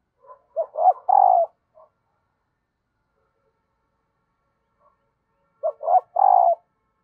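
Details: Female dove calling to excite the male, a sound said to make wild doves respond quickly: two bursts of short, low, throaty coos, each building into a longer rolling coo, separated by about four seconds of silence.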